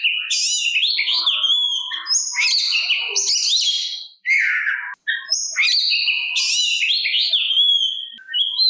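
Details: Provoking song of an Oriental magpie-robin meant to make other kacer answer and stir their fighting mood; energetic rich phrases of high whistles, downslurred notes and harsh scratchy bursts, with two short breaks.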